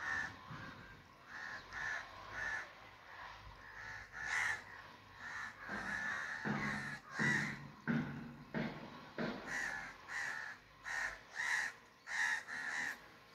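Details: Long sequence of harsh crow caws, roughly one and a half per second, some louder and fuller, continuing steadily for over thirteen seconds.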